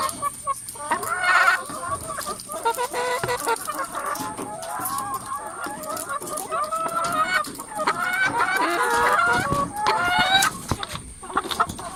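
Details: A coop full of chickens produces a dense, ongoing chatter of clucks and short wavering squawks, with calls tumbling together from many birds. A steady background whine is present.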